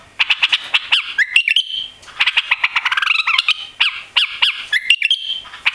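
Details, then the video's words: Tailless, newly arrived white-eared bulbul in a cage singing a lively continuous series of sharp chirps, slurred whistles and rapid chattering notes. "White-Eared Bulbul Song"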